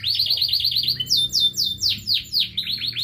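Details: Local canary song made of repeated high chirps, then a series of loud downward-sweeping whistled notes about four per second, ending in quick chirps.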